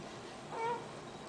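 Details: A pet female Eclectus parrot, spoken to by her owner, gives a single soft, brief coo, a slightly rising hum lasting about a quarter second, over a quiet room hiss.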